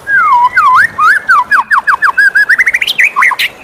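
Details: Morning song of a white-rumped shama: a rapid, varied run of loud whistled slurs, swooping up and down, speeding into a dense rhythmic series of short rising notes and ending in higher sharp phrases.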